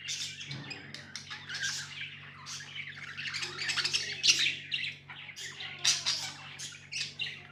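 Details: Pet budgies chirp and warble in quick crackling bursts, growing louder midway, over a steady low hum.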